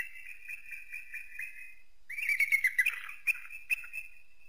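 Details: Eagle giving high whistled calls: a thin steady whistle, then a run of louder, quavering whistled notes. Two sharp accented notes follow before a final held whistle. No other sounds are clear.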